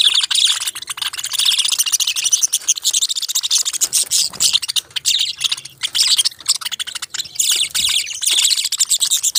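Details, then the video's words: Continuous high, scratchy budgerigar chatter with rapid clicking throughout, dense and almost unbroken, joined by a faint low hum in places. "Beautiful Chirping Sounds relaxing Voice"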